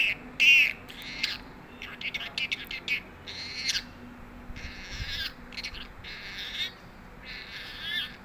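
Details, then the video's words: Talking parrot: a short, clear whistle at the start, then a run of harsh, raspy, voice-like bursts spaced about half a second to a second apart, with steady faint hiss behind. "Bolane Wala Tota best talking parrot videos"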